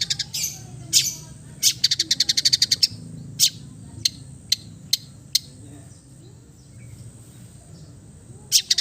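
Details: Long-tailed shrike from East Java singing a relaxed, mimicry-filled song: a few harsh high bursts, a short fast rattle, then widely spaced sharp single ticks and quiet gaps.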